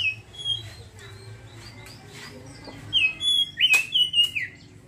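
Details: Oriental magpie-robin in ngeriwik song: after soft scattered chirps, a sudden burst of loud whistled, slurred notes in quick succession near the end.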